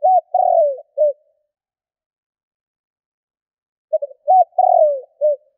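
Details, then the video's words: Kích bổi cooing of a spotted dove: the final long coo and end note of one phrase, a gap of about three seconds, then a full phrase of short notes leading into a drawn descending coo and a closing note. "Cu gáy Kích bổi / Tiếng cu gáy gọi bôi"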